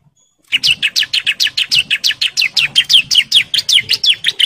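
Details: Bar-winged prinia, a breeding male calling females, pours out a brisk, even string of strident falling chirps, nearly three per second, sustained after a short silent start.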